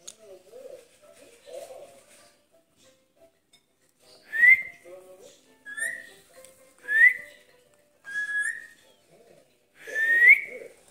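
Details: Pet green ringneck (rose-ringed parakeet), a talking parrot, indoors and wanting to play; five short, bright, rising whistles come about every one and a half seconds in the second half, after soft low murmuring chatter at the start.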